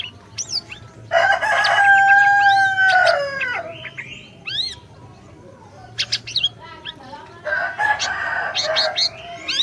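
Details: Actively singing Orange-bellied leafbird, a recording to prompt a silent bird: a loud harsh nasal phrase with a steady whistled tone, followed by thin upslurred whistles and another rasping burst.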